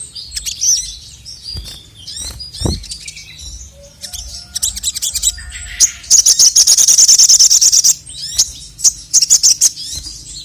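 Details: Male crested jay in full song to stir rivals: sharp chirps and slurred notes, then a long, very fast, loud rattling trill, followed by shorter pulsed bursts.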